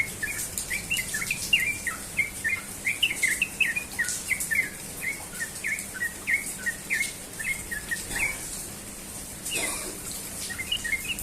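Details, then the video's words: Sooty-headed bulbul singing its rapid ropel-style morning song: a steady stream of short, bright whistled notes, rising and falling, repeated several times a second with no pause, over faint insect and rural background hiss. "burung trucukan ropel pagi"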